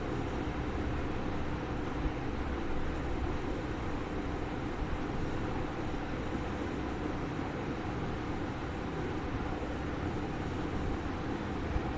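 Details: Steady low engine rumble, like a vehicle running nearby, fills the whole recording with no animal voice.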